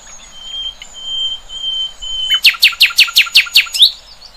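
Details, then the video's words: Songbird in the wild: a thin steady high whistle, then a burst of about eight sharp descending chirps in quick succession ending in an upward slur. "Kicauan Burung"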